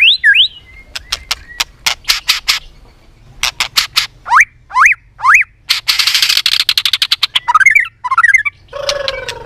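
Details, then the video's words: White-rumped shama in competitive song, tail flicking and clicking: many crisp dry clicks, three downswept whistles, a rapid chatter, and several twisting whistled notes near the end. "chòe lửa tạch liên tục đập đuôi dùng kích chòe lửa lên lửa hót đấu"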